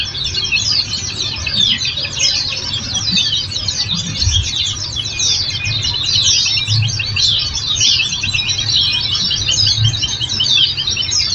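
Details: Oriental white-eye song from a training recording used to prompt caged birds to answer: dense, high, rapid twittering and chirps, continuous throughout, with a low hum underneath.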